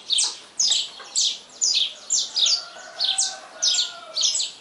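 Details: At daybreak a saffron finch sings steadily: crisp, high descending chip notes in paired bursts, roughly every half second, while a soft lower whistle from another bird runs underneath.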